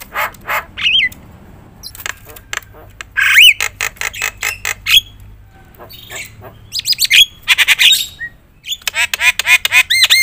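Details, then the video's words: Loud Javan myna (jalak kebo) in full varied song to rouse other mynas: dense clicking and rattling, harsh squawks, occasional short whistled phrases, and a fast series of repeated buzzy notes toward the end. "suara KERAS jalak kebo gacor full isian bikin semua burung jalak emosi gacor"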